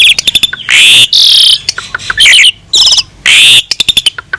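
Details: Asian pied starling in full song on a tutoring recording, mixing drawn-out grating screeches with rapid ticking notes and brief sliding whistles, repeated in quick succession.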